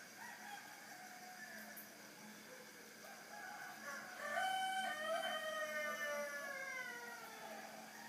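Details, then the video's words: A chicken crowing at 3:50 in the morning: a long drawn-out crow with several falling, stretched tones heard at some distance, over steady background hiss. "午前3:50 ニワトリ鳴く"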